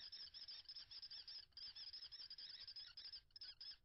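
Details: Common kestrels mating at their nest with five eggs, 21 April 2022. A steady stream of harsh, shrill chattering notes is delivered in rapid, slightly uneven bursts, with brief gaps near the end.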